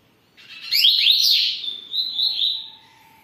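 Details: Double-collared seedeater kept at home delivering one song phrase: quick rising slurred notes that run into a sustained, buzzy, wavering high trill, ending with a faint thin whistle.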